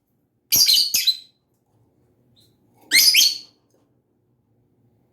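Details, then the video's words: Lovebird, a pet parrot, uttering raspy, shrill chirping bursts: a quick double chirp, a long pause, then a longer scratchy burst and the start of another at the end; otherwise quiet. "Lovebird SINGING and CHIRPING sounds"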